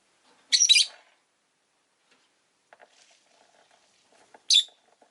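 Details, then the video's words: Rosy-faced lovebird kept as a pet, recorded with city noise around. Two shrill, harsh, buzzy chirps: a longer rasping burst near the start and a short sharp one near the end, with faint soft clicks and rustles between. "Lovebird Chirping Sounds"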